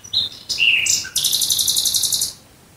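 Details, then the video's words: Nightingale near Dresden at night: short thin whistles and a slurred note, then a bright, rapid rattling trill of fast even strokes ending abruptly. "Nachtigall Gesang Geräusch. Singing Nightingale Sound."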